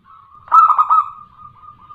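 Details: Local female zebra dove calling to a male, a lure to make caged males answer: one short, loud, rolling burst of mid-pitched coos, then a faint, steady tonal trail fading out.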